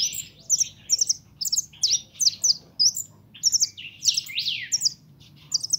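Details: Young pet goldfinch, described as pintón, delivering rapid tinkling chirps and buzzy rising-and-falling slurs in clustered bursts separated by short gaps, with a faint hum in the background.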